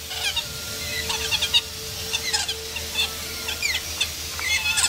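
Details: Lorikeets fooling around at the Columbus, Ohio zoo on 16 October 2014 give shrill, screechy chatter: many overlapping bursts of harsh high notes and squeaks, with a steady low hum in the background.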